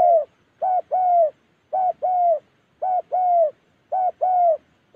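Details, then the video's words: Spotted dove from Gia Lai in Vietnam's Central Highlands forest, cooing in neat pairs: a brief note, then a longer, slightly falling coo, the pair repeating about every second over a quiet background. "cu gáy"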